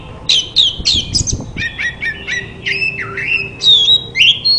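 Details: Oriental magpie-robin (kacer) song, offered as therapy to get a silent bird to answer and sing: rapid varied phrases of high whistles and chattering notes, some dipping and rising, with a faint low hum beneath.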